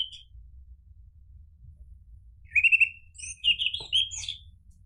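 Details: Orange-headed thrush singing as a lure to coax another bird into answering and singing. After a quiet start, it delivers a loud, rich run of whistled, warbling notes with quick high twitters mixed in. A soft low hum runs throughout.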